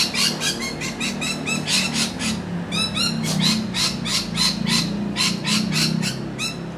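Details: A flock of rainbow lorikeets in Australia keeps up continuous shrill, rasping screeches and metallic chatter, several notes each second overlapping, recorded on a camcorder.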